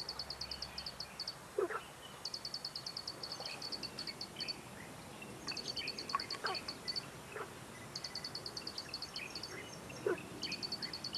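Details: Plain prinia (Prinia inornata flavirostris) at Dianbao Creek, Taiwan, 2 June 2019: high, rapid ticking trains about a second long, repeated every few seconds, with scattered lower chirps from other birds behind.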